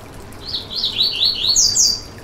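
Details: Song of the Yellow-bellied seedeater, played to warm up a bird: a continuous chain of rapid, high, whistled slurs rising stepwise and ending on the highest, brightest notes.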